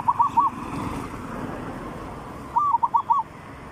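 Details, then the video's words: Zebra dove, three-provinces song style used as a decoy lure: a brief trio of rolling coos, then after a pause a longer phrase of four or five quick, bubbling mid-pitched notes, with faint background hiss. "เสียงนกเขาชวา เสียงสำหรับต่อ เสียงนกสามจังหวัด ต่อติดง่าย"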